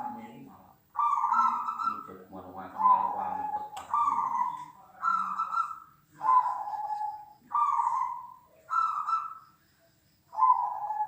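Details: Several zebra doves, large and small, cooing in a recording used to sharpen a dove's mental toughness; a steady chain of stepped, rolling coos, one after another with short breaks, with low murmuring underneath.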